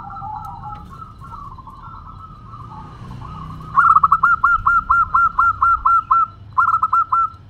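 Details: Local Zebra dove in active, fast song of the 'crystal voice' style: soft low cooing at first, then a loud run of about eleven short, clipped, evenly spaced coo notes, a brief pause and four more.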